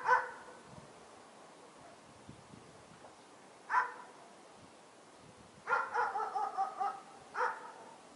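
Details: Late-winter Fieldfare: single harsh call notes spaced a few seconds apart, then a short chattering run of five notes followed by one more note, against quiet background hiss.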